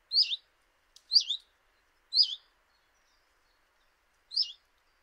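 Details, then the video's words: In early March 2018 a common chiffchaff at a kitchen window in Eibar gives three wavering, down-slurred high calls about a second apart, then a fourth after a two-second pause. A sharp click is heard once. "Txioa (Phylloscopus collybita)"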